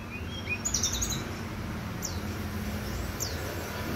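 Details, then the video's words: Brown-chested jungle flycatcher on a bright morning: faint, very high thin notes, a short chirpy cluster early on, then two quick descending slurred whistles about a second apart, over a steady low rumbling background. "Sikatan rimba di pagi hari yang cerah"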